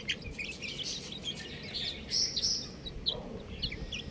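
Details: Baby buff chickens peep in thin, high notes, scattered and overlapping, with a couple of louder sustained cheeps near the middle and a soft low hum underneath.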